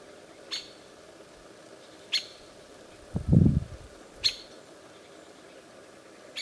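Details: A White-winged woodpecker in Turenga forest, Kazakhstan, gives sharp single 'kik' notes about every two seconds; a low thud breaks in midway.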